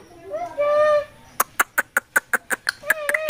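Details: Talking parakeet at the Mirpur 1 bird market in Dhaka, Bangladesh: a drawn-out tonal whistle, then a quick regular series of about ten sharp clicks and a short rising note, indoors.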